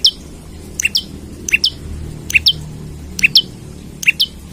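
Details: An olive-backed tailorbird singing actively as if seeking a rival, used as a lure or training song: sharp, high paired chirps, a piercing note then a lower one, about once a second over a faint low hum.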